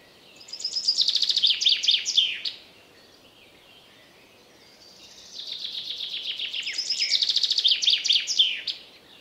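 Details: A wild common chaffinch sings two full phrases separated by a few seconds of near silence. Each phrase is a rapid run of high, sharp notes that quickens and ends in a descending flourish.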